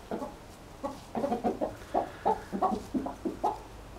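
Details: Clucking from three hens and a somewhat cantankerous rooster that did not crow; dense, quick, low clucks in uneven clusters, about three a second, over quiet background.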